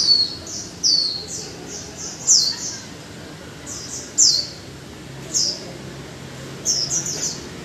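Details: Caged Japanese white-eye after a month in the cage, giving short bright chirps and slurred high notes in separated bursts, some paired, with quiet gaps between phrases.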